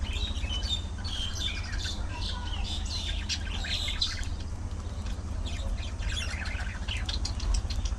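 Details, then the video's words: Budgerigars chattering in their colony, clustered high chirps and warbles in rapid bursts, briefly thinning midway before picking up again, over a low steady hum. "Budgie Parrot Colony! A Colorful & Chirpy Paradise!"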